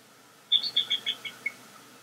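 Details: Bald eagle pair reunited at their nest in Northeast Florida in September 2021 at the start of a new season, testing the nest bowl; a quick burst of six high, sharp chittering notes, falling and fading over about one second.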